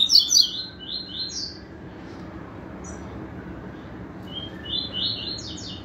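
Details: Several yellow-bellied seedeaters singing together, bright high chirping phrases in short rapid bursts at the start and end with a quieter gap between, over low background hum.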